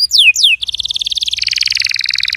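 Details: Canary song for getting a silent canary to sing: two sweeping downward whistles followed by a rapid rolling trill of dense pulsed notes that steps lower partway through.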